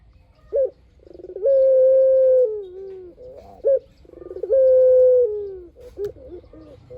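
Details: Spotted dove, a vigorous long-voiced singer used as a lure to prompt other doves to answer: a short rising note, a rattling run of pulses, then a long steady coo easing downward, given twice.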